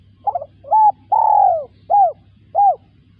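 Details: Spotted dove phrase of five parts: a stuttered note, a flat hoot, a long falling coo and two short arched coos evenly spaced, soft and low-pitched, with a faint steady hum.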